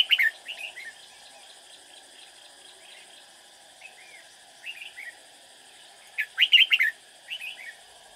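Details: Decoy red-whiskered bulbul singing during trapping to draw in rival birds; brief warbled phrases spaced through the clip, a loud rapid cluster near the end, and a constant faint buzzing background.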